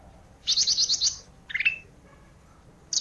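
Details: Olive-backed tailorbird giving isian filler song: a quick run of six high, bright chirps, then a shorter lower twittering phrase, and a sharp note at the very end.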